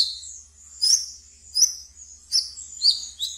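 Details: A caged brown-throated sunbird sings ngeriwik, used to coax untrained birds: high thin sweeping whistles broken by sharp chips, about four accented notes over three seconds.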